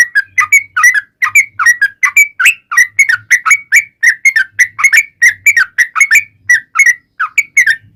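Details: Rapid long ropel song of a yellow-vented bulbul, used to lure other bulbuls into answering: a steady stream of bubbly, warbled whistles, each phrase swooping up then down, with faint low hum beneath.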